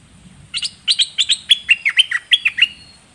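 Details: Red-whiskered bulbul singing: a brisk series of about a dozen bright, clipped chirps, some slurring downward, delivered in quick uneven clusters over two and a half seconds in a quiet setting.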